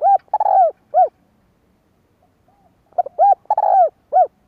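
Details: 'Kích bổi' coo of a spotted dove, used in training a decoy bird: a burred coo followed by an arched hoot, then after a two-second pause a fuller phrase of short notes, two arched coos and a burr.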